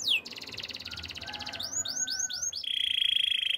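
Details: Canary song opening with a descending whistle, then a rapid buzzy trill, a few arched sweeping notes and a steady high rolling trill.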